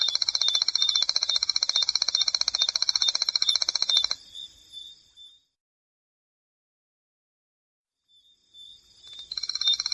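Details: Striped Crake of marsh and flooded grassland trilling: a dry, high, rapid clicking series lasting about four seconds, several seconds of silence, then the trill starting up again.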